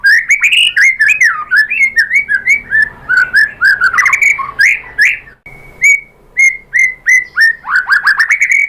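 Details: Energetic white-rumped shama lure song to make other birds sing back: a dense fast stream of varied whistles and chirps, a brief pause, then evenly spaced downslurred notes.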